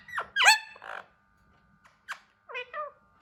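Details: A hand-tame Alexandrine parakeet trying to talk makes squeaky, harsh syllables, then clicks and two short nasal wavering notes, in a quiet indoor setting.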